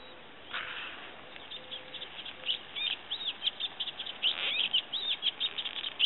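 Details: Olivaceous warbler in song at Kalloni Saltpans, Lesvos, in May 2010. Quieter, slightly distant babbling phrases of squeaky, chattering notes build from the middle onward over a faint background hiss.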